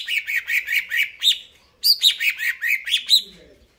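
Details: Greater green leafbird, known locally as cucak ijo, in full song: rapid runs of chirped notes about five per second, punctuated by higher sharp whistled accents, with a brief pause in the middle before the phrase resumes.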